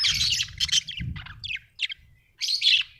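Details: Happy budgerigar giving a few loud bursts of raspy chirping and warbles, with a brief thump and low rumble near the start.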